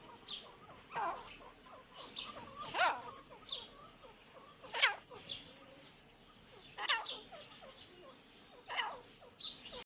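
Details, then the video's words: A pair of Irani teetar, the grey francolin-type partridge, giving loud harsh calls roughly every two seconds, each a short rising burst, with quieter chatter and faint background noise between. "Irani teetar jori"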